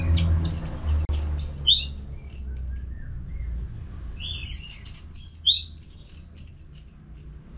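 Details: Caged Orange-headed thrush in continuous song, a therapy recording for other songbirds. Very high, thin, sliding whistled phrases come in a quick run, pause for about a second and a half, then resume as a longer, louder sequence of sweet notes.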